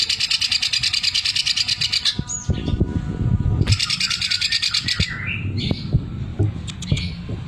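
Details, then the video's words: Caged greater green leafbird delivering a 'sewing machine' fill. A rapid chattering pulse train stops and restarts, broken by whistled and harsh notes, then sharp scattered calls and squeaky slurs. Low thumps and rumble underneath. "Cucak ijo gacor isian mesin jahit"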